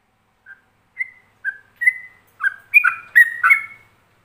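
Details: Yellow-vented bulbul ropelan master song for other bulbuls to imitate: it opens with sparse single whistles that grow louder, then accelerates into a dense, rich run of alternating slurred notes.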